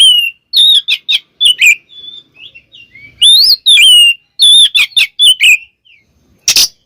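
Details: Oriental magpie-robin in full song used as a lure to make birds sing: bright whistled phrases with sharp chips, quieter gaps, and a short noise burst at the end.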